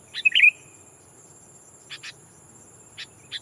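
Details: Caged sooty-headed bulbul used as a lure, calling a rival to draw in wild bulbuls; a short bubbly burst of whistled notes, then several brief chirps spaced about a second apart, over a steady high insect hum.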